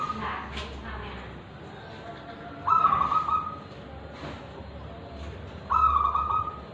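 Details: Singing zebra dove, a local wild-origin bird from Tulungagung, Indonesia, with ulem and kristal voice: two bright, rapidly trilled cooing phrases about three seconds apart, separated by quiet background noise.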